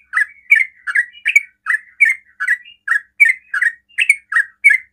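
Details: Yellow-vented bulbul in rapid-fire song, used to provoke other bulbuls to answer. Short bubbly warbled phrases repeat steadily about every third of a second against a quiet background.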